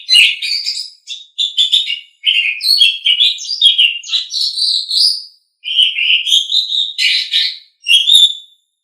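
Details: Tutor recording of an Asian pied starling for pet birds: several dense phrases of chattering, squeaky notes and rising whistles, each lasting one to three seconds with short pauses between.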